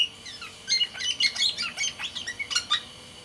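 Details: Caged black-naped oriole from Sumbawa in full voice, pouring out dense chattering and whistled notes, some squawky, packed closely together against a constant background hum.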